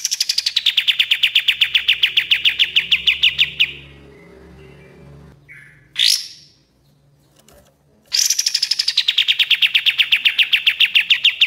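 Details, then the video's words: Two long, machine-gun trills from a Common iora with a gap between them holding a faint low rumble and one brief upswept note, each trill rapid and gradually falling in pitch, from a master song for training birds. "MASTERAN KAPAS TEMBAK GACOR DOR"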